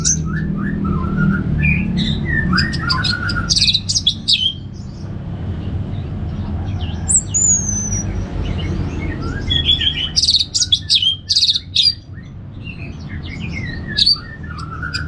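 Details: Orange-headed thrush (anis merah) singing in the ngeplong style. Varied, clear whistled phrases with rising and falling notes, high buzzy trills and short chips in quick bursts. A steady low rumble runs underneath.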